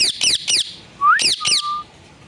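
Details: Pet parrot repeating words such as 'sitaram'. Three harsh screeches are followed by a rising whistled syllable, another squawk, and a long level whistled tone.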